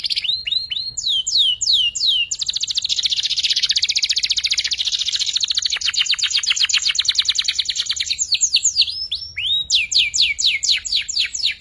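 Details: Young canary learning to sing, its practice song used as a tutor for magpie-robins and white-rumped shamas: high repeated downslurred whistles, then a long dense buzzy trill, then more rapid falling whistled notes.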